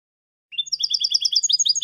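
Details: Young goldfinches are taught with this European goldfinch song: a thin rising note, then a quick string of bright, liquid twittering syllables in a rolling rhythm.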